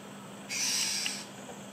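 A Black-naped Oriole gives one harsh, nasal, scratchy squawk lasting under a second, against a quiet background with a faint low hum.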